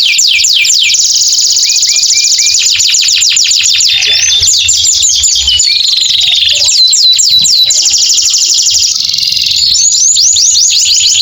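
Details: Long continuous canary song used to stimulate canaries that stopped singing, after moulting: rapid high trills of repeated notes and fast downward sweeps, changing tempo throughout, very loud and dense.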